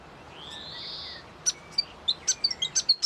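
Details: Grey fantail singing: a long, thin, rising whistle followed by a rapid run of short, high squeaky chirps and sharp ticks, steady faint background hiss.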